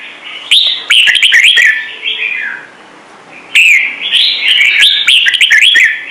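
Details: Red-whiskered bulbul delivering two long, chattering runs of rapid whistled notes that rise and fall, separated by a quiet pause of about a second.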